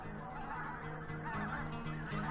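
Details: A pink-footed goose roost of about 15,600 birds on Loch Leven, Scotland, at dawn in late October autumn: a dense, overlapping chorus of many short nasal honks and yelps running together without pause, over a low steady rumble.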